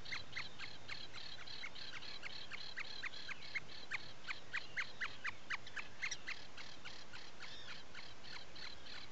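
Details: Puffin, Atlantic species, in a breeding burrow on Seal Island National Wildlife Refuge, Maine, before dawn on 12 July 2018, giving a steady stream of sharp, high peeps, roughly four each second, over a faint hiss.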